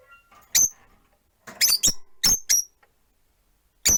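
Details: Four pet rosy-faced lovebirds caged beside a window, one perched; piercing high chirps come singly and in quick pairs, separated by short silences.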